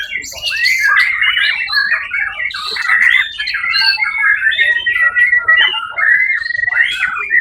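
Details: White-rumped shama (murai batu) that took first place at the Suara Agung contest, 1 October 2023, pouring out continuous loud song of sharp whistles, buzzy trills and scratchy phrases with barely a pause.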